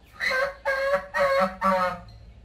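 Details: Four drawn-out, brassy honks from backyard geese follow one another at an even pace in a little over two seconds, each flat and strongly nasal.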